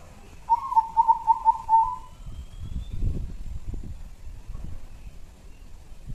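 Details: Local zebra dove lure song from Jambi: one rapid cooing phrase of five or six rolling, evenly spaced notes, followed by low rumbling noise.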